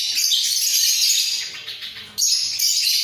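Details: Caged breeding pair of budgerigars, heads bobbing, giving a steady, scratchy warbling chatter that fades for a moment and then bursts back loudly.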